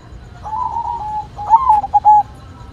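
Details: Singing white zebra dove: a soft wavering note, then a bright rising coo followed by three quick short notes.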